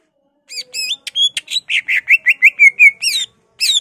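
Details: Greater green leafbird in excited ngentrok singing, unloading mimicked phrases of magpie-robin, laughingthrush, cililin, white-eye and canary: a fast run of high chirps and whistled notes, about three per second, ending in buzzy trills.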